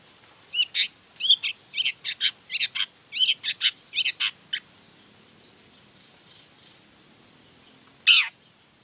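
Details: Long-tailed shrike in energetic song, showing off its repertoire to make other shrikes answer: a rapid run of about fifteen sharp trilled notes, several seconds of quiet, then one loud note.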